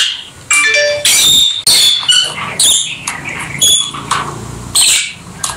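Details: Rosy-faced lovebirds, also called peach-faced lovebirds, kept as pets and playing together: shrill squeaky chirps and harsh high squawks in quick bursts, some with stacked harmonics, with short pauses between.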